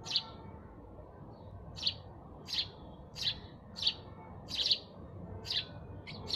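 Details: Sparrow chirps: one chirp, a pause of over a second, then a lively series of bright chirps about every half second, some closely doubled near the end.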